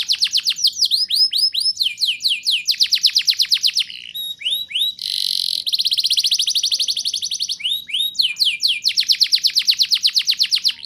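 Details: Vigorous rolling canary song with sharp 'nembak' bursts, played to encourage young canaries to sing: rapid high trilled series, a buzzy harsh segment, then more fast repeated sweeping notes at roughly two per second.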